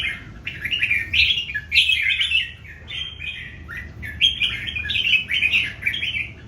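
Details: Singing duel among three old wild-caught Red-whiskered Bulbuls: lively, continuous chattering warbles with quick rising and falling whistled notes, phrases overlapping almost without pause.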